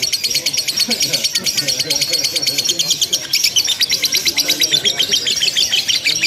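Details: Lovebird chattering nonstop in a simulated singing contest, a long unbroken stream of fast, shrill ticking chirps with a few brief whistled notes woven through.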